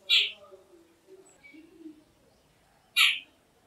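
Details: Jungle babbler, called ছাতাড়ে in Bengali, utters two loud, harsh, squawking notes three seconds apart, with soft low murmuring notes from the group in between.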